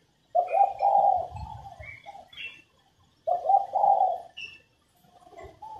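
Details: Female spotted dove cooing to encourage males to sing: two matching phrases, each a few quick hollow coos merging into a long mellow note, separated by a short pause.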